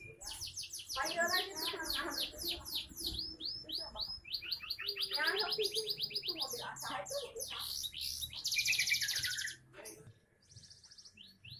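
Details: Young canary in full song. Long runs of very fast, sharply falling sweeps are repeated many times a second, with rolled trills and a high buzzing passage before the song fades out.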